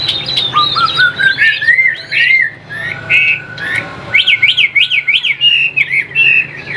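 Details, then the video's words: Caged Chinese hwamei from a Vietnamese bird seller, delivering varied song: a long rising whistle, ringing slurred phrases, then a fast zigzag run of sharp repeated notes near the end. "Chim Đẹp Hót Hay"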